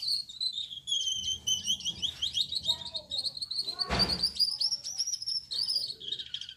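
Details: Night song of a male Gouldian finch (yellow back, red head, white breast): a long, thin, high trill of buzzy repeated notes holding an even pitch, interrupted once by a sharp broadband click before continuing.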